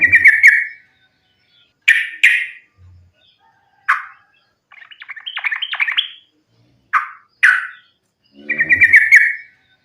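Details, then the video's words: Sooty-headed bulbul delivering fighting song to lure bulbuls into song: trilled bursts and loud harsh chirps, a longer rising chattering sequence in the middle, and a closing fluttering trill. "trucukan gacor tarung sambung ropel ini ampuh buat pancingan trucukan agar bunyi"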